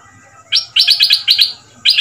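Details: Caged Red-whiskered bulbul, a new decoy bird of southern Thai dok taeng style, 'double' line, two months in the cage, sung to teach young birds: a short lone note, then a quick run of bright, sharp whistled notes.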